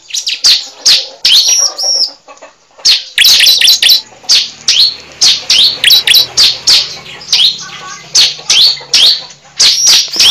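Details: Lure recording of a cible bird: a steady series of loud, high, thin chirps and downward-sweeping whistled notes, repeated roughly every half second over ten seconds, with a faint low hum beneath.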